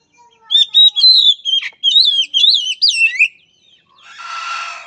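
An Oriental magpie-robin sings about three seconds of loud, rich whistled phrases that swoop up and down, followed by a brief hissing rustle.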